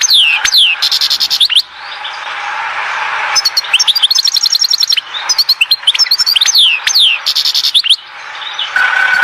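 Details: Goldfinch singing at Oued Zhour, Skikda, against constant background hiss: rapid chattering bursts with rattled, buzzy runs and descending slurred whistles, repeated in several lively phrases.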